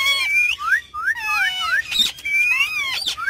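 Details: Several pet ringneck parrots on a car's back seat, talking and having fun, produce overlapping upslurred whistles and drawn-out wavering notes, with a few sharp squawks breaking in.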